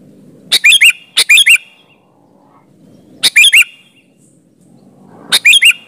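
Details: Sooty-headed bulbul in energetic song, used to lure other bulbuls into answering: paired and single bursts of quick bubbly notes, about every two seconds, over soft background noise.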